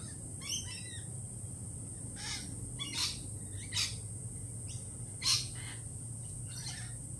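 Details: Lorikeets, jittery after a Peregrine Falcon attack earlier in the week, give harsh, buzzy screeches in short bursts, about six spaced irregularly over seven seconds, against a steady low hum and a constant high whine.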